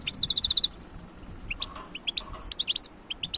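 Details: A wild European goldfinch, 2022, opens with a quick even series of about eight clear piping notes, then continues with scattered, sharp, high chirps and twitters.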